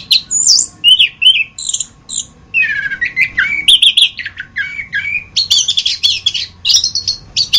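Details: Orange-headed thrush masteran: short high chirped phrases give way to a rapid descending trill, then looping lower slurred notes and bright, repeated high phrases toward the end, over a low hum.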